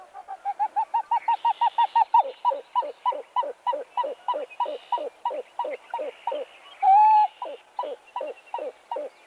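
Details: A Pied-billed Grebe gives a long, loud, rhythmic series of about thirty hollow cuck notes, quickening then turning into slurred, descending gulps, sounding as if suffocating and running out of air, with one drawn-out whine near the end.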